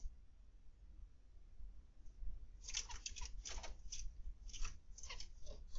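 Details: Zebra finches in an indoor aviary, recorded 21 October 2020 (PM): after a quiet start, a lively burst of short nasal, beeping calls from several birds, overlapping and repeated rapidly, over a steady low room hum.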